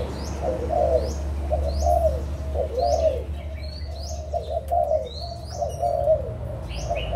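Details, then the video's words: Adult spotted doves of Malaysian and Thai stock, recorded 16 March 2022: low, hoarse cooing phrases repeated steadily with brief pauses, while thin high chirps from other small birds sound above, over a low steady hum. "cu gáy trưởng thành malaysia và thailand"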